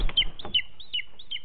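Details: Young booted eagle begging food from the female at the nest, recorded by webcam in Els Ports, July 2019; short high whistles with a quick falling tail, about every 0.4 seconds, after a few soft knocks.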